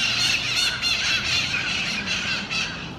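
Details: Mitred parakeets feeding on seeds in a park in Miami-Dade County, Florida, on December 4, 2016. Harsh, grating squawks overlap almost without pause, with several birds calling together.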